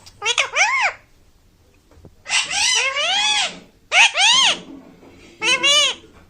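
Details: Talking pet Indian ringneck parakeet: four raspy, speech-like phrases with rising then falling pitch, separated by short pauses, indoors in a small room.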